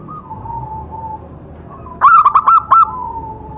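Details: Single phrase from an actively singing local zebra dove in a trapping setting: four or five quick, throaty coo notes rolled together. A thin steady background tone runs before and after.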